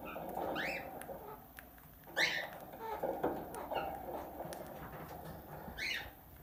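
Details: Tame plum-headed parakeet indoors mimicking human speech: a murmured, speech-like babble runs throughout, broken by sharp squeaky chirps near the start, in the middle and at the end, in a small room.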